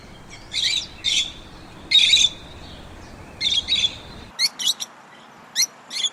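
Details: Lovebird chirping: paired, shrill, squeaky notes in small bursts, irregularly spaced, followed by a run of sharp, clipped high chirps over steady background hiss.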